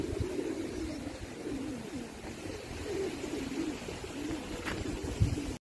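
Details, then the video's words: Cooing of a male pigeon: low, soft repeated coo phrases rolling on through the recording against a constant low background hum. "Male Pigeon Cooing Sound"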